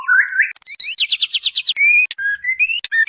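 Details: A female white-rumped shama calls to the male in a lure recording. A rising whistle leads into a fast run of high, sharp repeated notes, then steady whistled tones broken by brief clicks.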